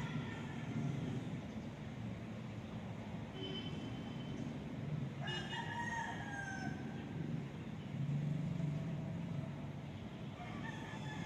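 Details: Crowing rooster, filmed on an ASUS Zenfone 2 Laser phone: one main cock-a-doodle-doo midway through, bright and falling at the end, with faint distant crows around it and a continuous low droning hum throughout.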